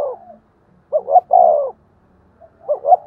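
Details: Spotted dove in 'thúc gù' style, cooing to stimulate decoy doves. The end of a coo is followed by one full phrase of two short notes and a long downslurred coo, with another phrase just beginning.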